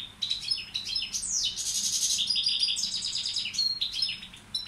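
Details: Tutor bird of the balcanica goldfinch subspecies singing a busy twittering song with rising and falling sweeps and dense chattering trills, phrases tumbling quickly one after another.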